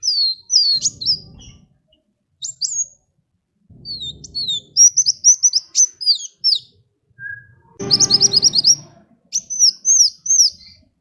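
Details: Sunbird singing a lively, varied song meant to draw other birds into singing: rapid high twittering notes, sharp upslurs and downslurs in clusters, with a short buzzy burst near the end and faint low background noise.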